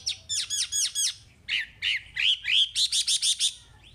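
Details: Chinese hwamei song meant for coaching caged birds: a rapid series of sharp downward notes, then rolling slurred whistles building into a quick, evenly repeated burst of strong notes.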